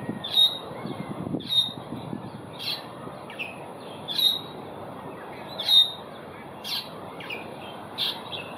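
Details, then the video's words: Asian glossy starling calling in Singapore on 4 September 2021: sharp, high, metallic notes given about once a second, some with short clipped tails, over low murmuring background noise. "亚洲辉椋鸟 叫声 Asian Glossy Starling call"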